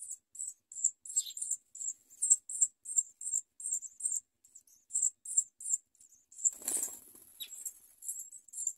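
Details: House sparrow nestlings being fed by their mother give very high, thin cheeps, about three a second, in an uneven stream. A brief rustle of wings breaks in near the end.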